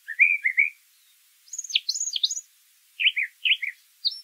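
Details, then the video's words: Brown thrasher in song: a doubled lower phrase, then a string of high sharp downswept notes, then paired buzzy mid-pitched notes and a brief high whistle, in clear quiet surroundings. "Birds Singing - Brown Thrasher"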